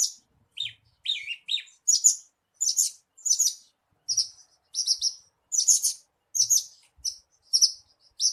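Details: Horsfield's bush lark lure song, played to spur a caged bird into singing: a steady run of short, bright, buzzy notes about twice a second, a few downslurred chirps near the start.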